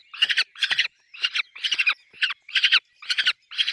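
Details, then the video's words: At a peregrine falcon nest with chicks, loud grating squawks repeat in a steady series of about eight rasping bursts, each roughly a third of a second long, with short silences between them. "peregrine falcon nest"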